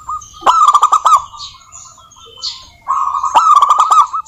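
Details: Vigorously singing local zebra doves, a lure for other doves. Two loud bursts of fast stuttering cooing notes, each with crisp clicking ticks, separated by a quieter pause with faint background coos.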